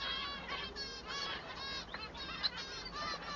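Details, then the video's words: Male manon singing: harsh, nasal, harmonic-rich calls in quick overlapping bursts, some rising and some falling, repeated several times per second, with other similar birds calling close by. "El canto del manon"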